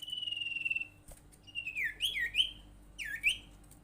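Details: Sirtu bird lure call intended to make other sirtu or cipow birds vocal: a steady buzzy trill, then several looping slurred whistles in two bursts.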